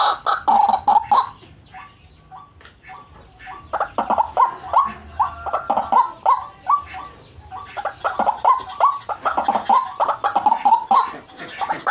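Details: White-breasted waterhen calls used to lure birds, gacoran style: dense croaking chatter at first, quieter short upslurred notes, then rapid repeated harsh clucks resuming strongly.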